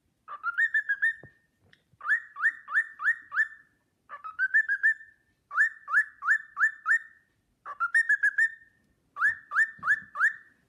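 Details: A cockatiel kept as a pet whistles the Sportpalast Waltz, repeating groups of bright rising notes, roughly three per second, interleaved with quick level trills, plus a few faint clicks in the gaps.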